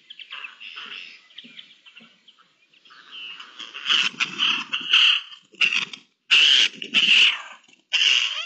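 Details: Eurasian jays calling to one another, 10 May 2021: quiet scratchy chatter building into loud harsh, rasping bursts about a second long, broken by short silences.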